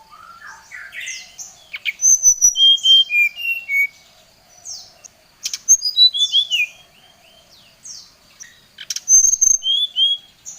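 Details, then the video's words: Oriental magpie-robin, a lure recording of song that calls out a rival: bursts of rapid downslurred whistles and sweet slurred notes, three loud phrases separated by quieter gaps. "Suara Pancingan SRDC Gacor | srdc memanggil lawan | srdc gacor Emosi"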